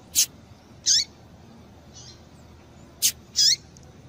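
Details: A female double-collared seedeater gives short, high, sharp chips, about five in four seconds, some in quick pairs and one faint, over a quiet background; a call used to stimulate males to sing.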